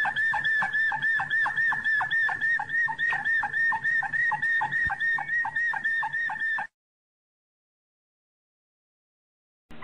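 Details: Bird song used as a tutoring recording for teaching young birds to sing: a fast, steady series of short clipped notes, about three per second, on one mid-high pitch, lasting some six seconds, then a pause.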